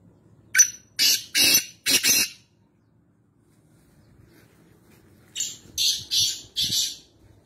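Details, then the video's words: Harsh, rasping calls of a black francolin (kala teetar) kept at home in Nawabshah, Pakistan: a series of four scratchy bursts, a pause of about three seconds, then another four-part grating series. "Black Francolin Voice Kala Teetar Sound at Home"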